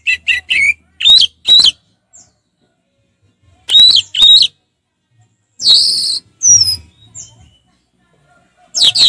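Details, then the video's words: Relaxed 'ngeplong' song of an orange-headed thrush: loud whistled phrases of two to four rich, slurred notes, separated by pauses of one to two seconds. "Anis merah ngeplong santai"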